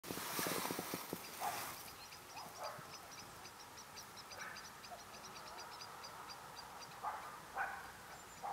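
Hawfinch giving a fast run of sharp, high ticking calls, several each second, after an opening burst of rustling, with a few low knocks and thuds throughout.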